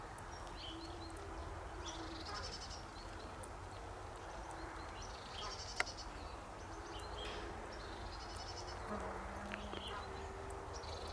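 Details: Emperor goose (Anser canagicus), one of a pair in a private collection in Holland, gives a few hoarse, nasal, bleating calls spaced a few seconds apart over a steady low background rumble.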